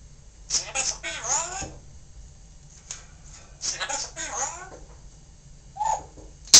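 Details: A pet parrot, a Baltimore Orioles fan, speaks two quick, speech-like phrases in a bright, nasal voice with sliding pitch, then gives a short squeak near the end in a quiet room.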